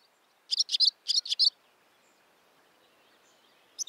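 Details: Barn swallow giving two short clusters of sharp high chirps, about three notes each, then a quiet pause and one final brief chirp.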